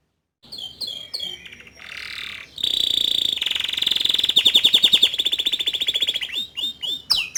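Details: Young male canary song played to stimulate a juvenile's singing: short slurred notes, a buzzy burst, then long rapid pulsed trills building in loudness, closing with sharp chips.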